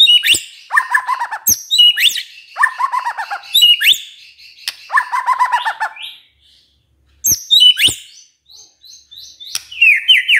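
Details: Lure song of a white-rumped shama meant to prompt other shamas to reply: sharp high whistles alternating with cascading, rapidly falling note runs, broken by clicks, a short silence, then varied rising whistled notes.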